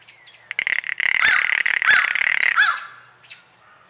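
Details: Female blue jay on a trail camera, apparently alone, giving the female-only rattle call: a dry, rapid rattle of clicks about two seconds long, with sharp clicks at start and end; owner suspects it is not an intruder warning.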